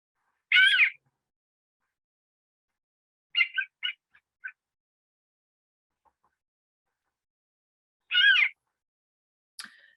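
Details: Swamp harrier call, given in flight while circling lazily, in New Zealand. A high, mewing, arched call sounds twice, about eight seconds apart, with a few short clipped notes between.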